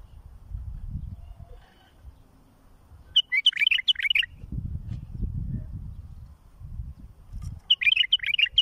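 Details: Song of a bulbul used to teach fledglings: two short bursts of sweet, jumbled, fluty notes several seconds apart, separated by deep rumbling background noise.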